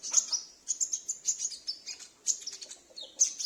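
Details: A sunbird at home that replies whenever the lure bird calls, suited for luring wild sunbirds; shrill high chips and twitters in rapid clusters with short gaps.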